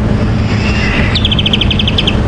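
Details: Grey-headed kingfisher (Halcyon leucocephala) call, played on a morning safari drive at Djuma Game Reserve, 16 November 2015: a short, thin whistle, then a quick shrill run of about ten sharp chipping notes over a low engine rumble.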